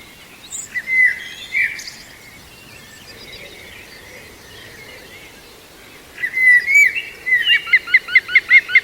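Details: Green woodpecker, a young female, calling at Walthamstow Waterworks Nature Reserve in London on 5 September 2022; after scattered chirps and a long quiet gap, a fast series of repeated ringing notes builds toward the end.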